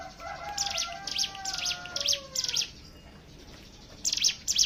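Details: Lure recording of a hill prinia singing ngebren style to draw song from other birds: quick series of high piercing chips, a pause, then a short fresh burst, with faint lower sustained tones behind.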